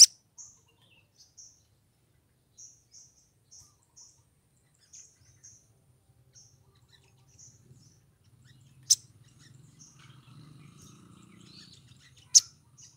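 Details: A female crimson sunbird in breeding condition gives a steady series of tiny high chirps to attract a male, with faint low rumbling and two sharp clicks later on.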